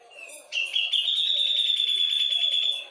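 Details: Cucak jenggot from Java: a soft thin note, then an abrupt loud, rapidly pulsed high whistle held steadily for over two seconds, with faint low chatter underneath.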